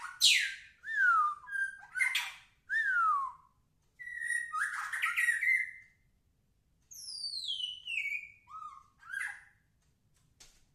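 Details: White-rumped shama singing actively: a varied run of loud whistled phrases, with sharp descending sweeps, slurred notes and a buzzy rattling burst, broken by short pauses; quiet background.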